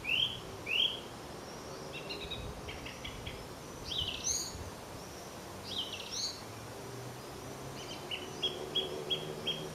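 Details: Song thrush singing in Lincoln, heard from a roadside: distant whistled phrases and short repeated notes, some phrase types given three or four times in a row, over steady low traffic-like background noise.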